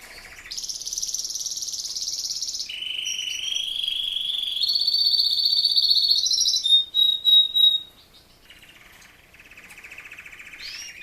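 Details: A male Razza Espagnola canary, not a song breed, sings sustained high rolling trills that step down, then climb again, then break into a few pulsed whistles before a softer buzzy phrase.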